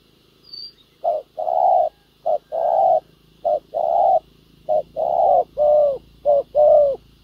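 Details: Spotted dove used as a ground decoy to lure wild doves, a field bout with a foreign-style song: paired coos, a short note then a longer drawn coo, repeated about once a second, faint higher chirps behind.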